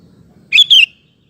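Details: Actively singing sooty-headed bulbul used to lure males into song and as a tutor; one short, loud two-part phrase, the second part descending, above a faint low murmur.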